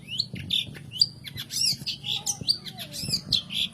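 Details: Long-tailed shrike, called cendet or pentet, singing as a lure for caged birds that rarely sing: varied warbling, slurred high notes mixed with harsher chatter, lively and uneven.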